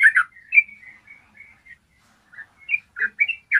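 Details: Yellow-vented bulbul singing in a clear voice, recorded as a tutor to make other bulbuls sing: a couple of throaty warbles, then drawn-out whistled notes, a silent gap, and a burst of quick chirping notes at the end.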